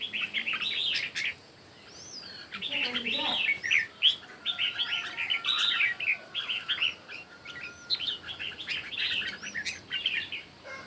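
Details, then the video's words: Red-whiskered bulbuls in morning competition singing: dense bursts of bright warbled, chattering phrases overlapping almost continuously, with short rising whistles between and a brief quiet gap near two seconds. "Chim Chào Mào Hót Đấu Buổi Sáng"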